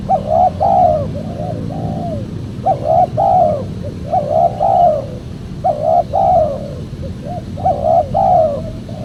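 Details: Lure recording of a spotted dove for calling in wild birds: repeated mellow coo phrases, a clipped note then a soft rolling double coo, roughly every one and a half seconds, with a low droning background.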